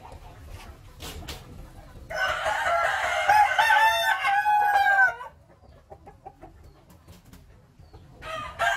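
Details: One long rooster crow lasting about three seconds, rough at the start and then stretching into a held, slightly falling tone. Faint clucks and rustling follow, and a second crow begins at the end.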